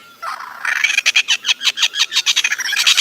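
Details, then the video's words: A bird making a funny sound: a fast, even series of short, harsh, chirping notes, about six per second, rising in loudness after a brief opening note. "Cute Bird Making Funny Sound"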